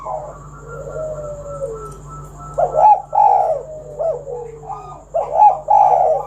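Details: Spotted dove song meant to coax other doves into singing: soft, falling, whistle-like tones at first, then loud two-part rolling coos repeated twice.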